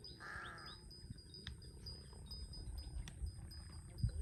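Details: A large-billed crow in Cambodia, near water, gives a single short, hoarse caw at the start, then only a low wind-like rumble and a thin, steady insect-like whine.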